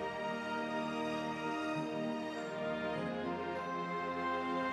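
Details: Soft, sustained background music plays with steady tones throughout, and no animal voice is heard.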